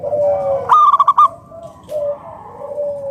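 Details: Local Indonesian zebra dove (perkutut lokal) in lively song, used as a lure to prompt other doves to sing; a quick stuttering burst of about five bright cooing notes, framed by longer, softer, level coo tones before and after.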